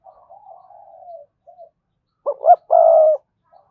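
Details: Spotted dove cooing as a decoy for wild doves: a soft, wavering drawn-out note first, then a short note, a rising arched note and a long, loud rolling coo.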